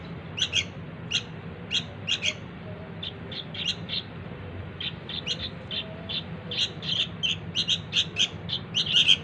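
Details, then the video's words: Sooty-headed bulbul chick calling to lure its parents, starting with spaced high chirps, then softer notes, building to a rapid, dense run of harsh chirps at the end. "suara anak burung kutilang || sangat gacor buat pikat indukan nya"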